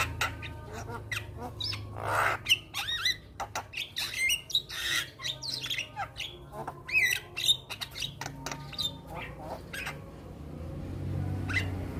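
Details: Black-winged starling, caged, in energetic head-bobbing song: a dense stream of sharp clicks, rasping squawks and looping whistled notes, over a constant low hum.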